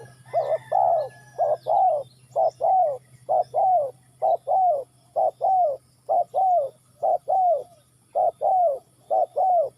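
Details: Spotted dove from Ninh Thuận giving a steady run of paired coos, a brief note then a drawn-out, gently falling one, repeated roughly once a second, over a faint low hum.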